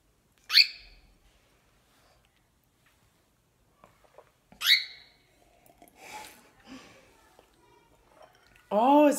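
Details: Female pet cockatiel getting mad at a glass cup indoors: two sharp, harsh screeches four seconds apart, followed by people talking in Spanish and a loud burst of speech at the end.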